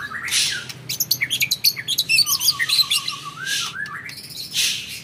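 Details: Caged white-rumped shama of Indonesian champion lineage mixing harsh buzzy bursts with a rapid descending string of short whistled notes, followed by further loud rasping phrases.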